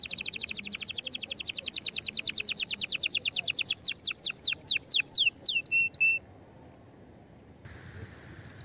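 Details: Canary in fiery, excited song to stimulate other canaries to sing: a fast trill that slows into separate downslurred whistles, a pause, then a faint high trill resumes.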